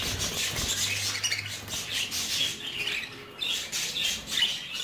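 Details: Three-month-old baby budgerigars chatter in scratchy, high squawks and chirps that overlap in near-constant bursts; a low hum sounds briefly near the start.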